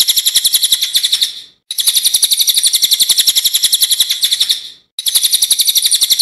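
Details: Master song of a cililin used to train songbirds: loud, sharp, fast-pulsed high notes in sustained bursts separated by two short breaks.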